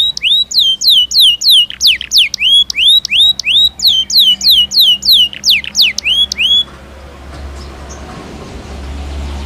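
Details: Belgian canary singing naturally: a regular string of loud upslurred and downslurred whistled notes, about three per second, stopping after six seconds into low background hum.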